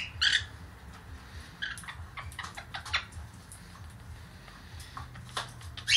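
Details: Pet blue Quaker parakeet, a young female in a temporary cage, gives scattered scratchy squawks and soft clicks with gaps between them, opening and closing with louder harsh calls.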